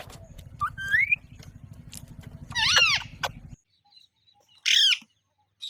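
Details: An Alexandrine parakeet gives a rising whistle, then a loud harsh squawk with bending overtones, a quiet gap, and another strident cry.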